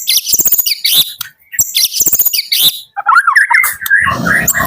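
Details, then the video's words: In the morning, a white-rumped shama from Medan sings repeated bursts of high chattering notes, then shifts to lower, wavering whistled phrases with some background rustle at the end. "Kicau Pagi murai Medan"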